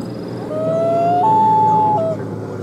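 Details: Loon calling on Lake Massabesic, New Hampshire, with twin chicks 2-8 days old nearby. One long, smooth, mournful wail steps up in pitch, holds, then drops at the end, over a steady low rumble.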